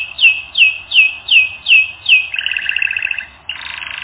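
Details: Canary training song: six loud descending whistled notes spaced about every third of a second, followed by a fast pulsing roll and, after a short break, a lower buzzy trill.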